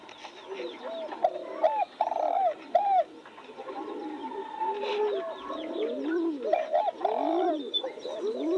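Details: Several spotted doves cooing near new roses, round soft notes rising and dipping, a louder bird in the foreground between one and three seconds and others answering throughout.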